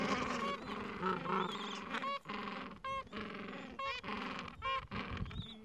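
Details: Gentoo penguins in a Falkland Islands breeding colony on a mild afternoon, adults tending nests and chicks aged two to three weeks; loud braying calls in pulsed bursts about once a second over a steady background of colony chatter.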